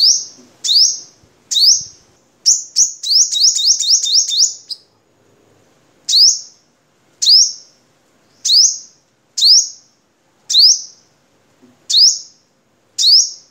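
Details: Vietnamese crimson sunbird song meant for tutoring caged birds: high, sharp upslurred notes spaced about one per second. Near the start comes a rapid burst of about ten sweeping notes, with no other sounds.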